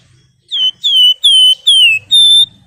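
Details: Javan wergan in full song, calling rivals as a lure: five clear, loud whistled notes in quick succession, each sliding gently downward, the last held steady and slightly higher.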